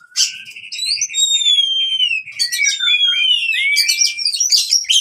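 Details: Oriental magpie-robin fighting song, used to train birds that have stopped singing: long pure whistles, some slurred up or down, with rapid repeated chirps and buzzy notes packed densely at high pitch.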